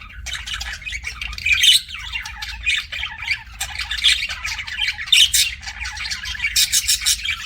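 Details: Captive budgies keep up busy chirping, a dense mix of harsh squawks, clicks and twittering warbles in rapid overlapping bursts, with several sharp high notes near the end and a faint low background hum throughout.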